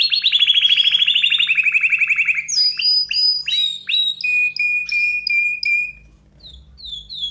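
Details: Excited canary in full song, opening with a loud rapid rolling trill, then clear whistled notes repeated in quick, steady series that fade out near the end.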